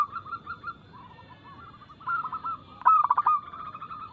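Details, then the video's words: Local zebra dove with a quick, loud, crystal-clear song used to coax caged doves into singing. Soft rolling coos build into one loud burst of fast, clipped notes near the end. "PERKUTUT LOKAL GACOR Nada cepat Suara keras kristal"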